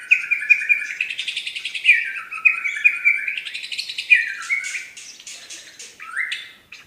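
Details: Medan white-rumped shama sings a fast tembakan: about eight quick, clipped chattering notes, then descending whistles and a bright rising note that closes the phrase, all clean and loud.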